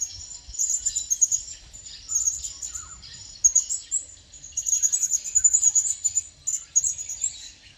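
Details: Wild blue-crowned hanging parrot nearby, calling almost continuously with bursts of thin, shrill, very high twittering notes, repeated in several runs separated by short pauses.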